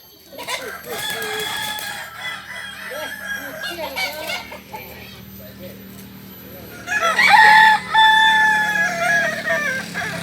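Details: Kokok Balenggek rooster, a native village chicken of Solok, West Sumatra, known for its tiered crow: murmuring background noise, then a loud harmonic crow bursting in near the end, rising and holding before breaking off.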